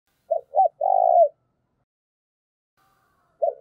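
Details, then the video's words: Decoy spotted dove calling to lure wild doves: two short arched coos, then a longer rolling coo, a long silence, and one more short coo at the end. "Chim Cu Mồi/ cu gáy thúc và gáy gọi cực sung, tiếng chim cu gáy kích bổi"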